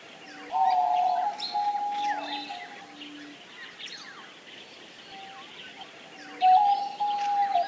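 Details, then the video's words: Diamond dove (Geopelia cuneata) giving drawn-out, steady mid-pitched tonal notes, a loud phrase near the start and another at the end, with fainter low hums between, amid busy high chirping and twittering from other small birds. "Canto da Rolinha Diamante / Pomba Diamante | Diamond Dove"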